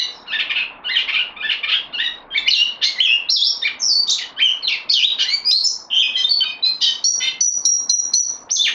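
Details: A caged bulbul on loan sings a varied, tumbling jumble of warbled and chirped notes at changing pitches, ending with a series of high, thin, even piping notes.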